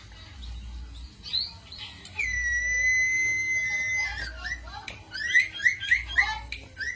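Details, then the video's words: Cito bird song used as a lure or master recording for training songbirds: a long, steady whistled note, then a quick run of rising chirps repeated about every quarter second, over faint background noise. "burung cito cocok buat pancingan/masteran"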